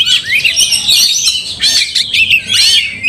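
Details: Oriental magpie-robin in a fight, emotions roused and tail spread, its anger heating up another magpie-robin; loud, dense, rapid high warbling with sharp whistled slurs and chirps in continuous bursts.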